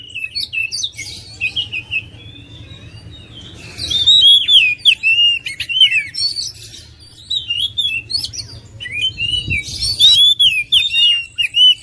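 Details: Singing oriental magpie-robin: bursts of loud whistles and quick twitters alternate with short silences, the phrases tumbling up and down with rapid, slurred notes.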